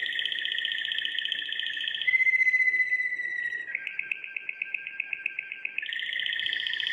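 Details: Belgian Waterslager canary, a breed raised for its song, singing: sustained rolling trills near the middle register shift into a rapid pulsed, water-like bubbling tour, then return to a steady rolling trill; no other sounds.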